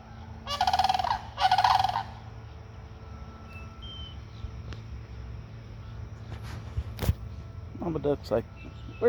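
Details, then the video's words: Sandhill cranes at a feeding spot with ducks nearby: two loud rolling, rattling calls near the start, then a quiet stretch with faint background noise and a few soft clicks and knocks. "Sandhill Cranes making noise"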